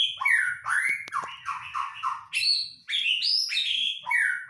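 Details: White-rumped shama singing as a lure to prompt another shama to sing; varied loud whistled phrases, slurred notes sliding down and up, a few sharp clicks, steady rich strophes with brief pauses.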